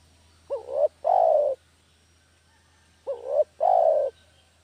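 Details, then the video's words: Dove-trapping lure of a spotted dove: two mellow, low coo phrases roughly 2.5 seconds apart. Each has a quick quavering rise, a brief gap, then a drawn-out smooth coo. Nothing else is heard. "SUARA MASTER PIKAT DERKUKU KAMPUNG"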